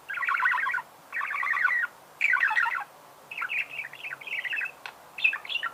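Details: Singing budgerigar giving three dense chattering bursts of rapid trilled notes, followed by a looser run of quick rising and falling chirps.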